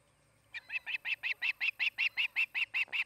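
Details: Osprey calling at a nest in Charlo, Montana, where a pair is nesting; after a quiet start, a steady series of shrill whistled chirps repeats almost three times a second.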